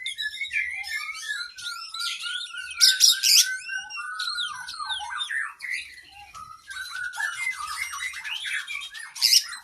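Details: Caged oriental magpie-robin (kacer) in full training song: a dense, continuous stream of sweet whistles, slurred glides and scratchy high chatter, with occasional loud buzzy bursts, delivered without pause.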